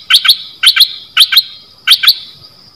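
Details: Decoy bulbul, one of three, uttering four crisp double-note chirps spaced roughly half a second apart, loud and clean against a faint steady background hiss.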